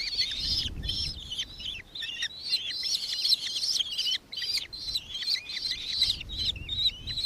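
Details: Recorded in Victoria, Australia on 4 December 2024, a nankeen kestrel calls in quick, shrill, slightly wavering notes, densely packed and overlapping, with brief pauses and soft low rumble at the beginning and end.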